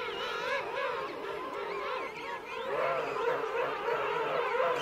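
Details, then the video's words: King penguins in a colony of adults and chicks at Right Whale Bay: a dense chorus of overlapping warbling, wavering calls from many birds, steady throughout with no single caller standing out. "King Penguin. CU Adults Calling. Colony Of Adults And Chicks."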